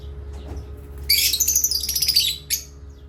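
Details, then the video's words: Pet parrot at playtime, chirping in a rapid run of harsh, buzzy notes lasting about a second and a half, then a short final burst; faint low hum underneath. "Beloved Asia Parrots and playtime with Parrots Chirping"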